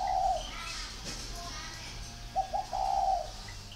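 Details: Brief recording of a spotted dove: one drawn-out low coo, a pause with faint chirps, then two short notes and a long mellow hoot.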